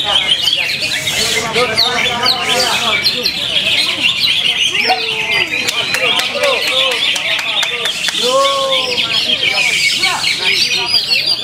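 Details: Caged Greater green leafbirds in an Indonesian singing competition, two birds matched for bursts and duration of song: dense, fast whistled and trilled phrases, sliding up and down, sung continuously over steady clapping and crowd chatter.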